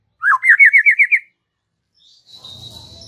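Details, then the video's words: White-rumped shama giving relaxed chatter: a fast rattling trill of about seven sharp notes, followed by quiet and faint background hiss with a soft high tone. "Ocehan SANTAI Murai Batu"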